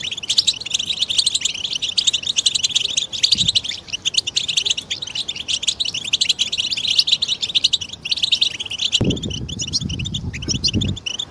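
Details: Group of European goldfinches in a stimulating chorus for silent males; steady dense twittering and tinkling trills throughout, with a brief low thump and a stretch of low rumbling noise near the end.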